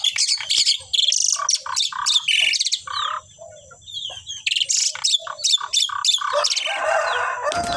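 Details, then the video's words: Pair of Asian pied starlings in lively song: a dense, loud run of varied whistled, chirping and harsh rasping phrases, repeated rapidly, ending in a noisy harsh burst. "sepasang burung jalak suren super gacor"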